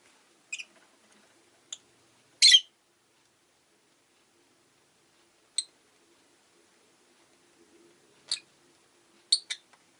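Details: Rosy-faced lovebird (Agapornis roseicollis), chirps.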